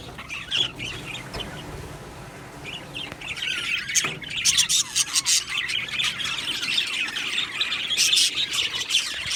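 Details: Budgerigars in an aviary colony: quieter scattered chirps at first, then a swelling chorus of squawky chirps, warbles and squeaks, louder toward the end.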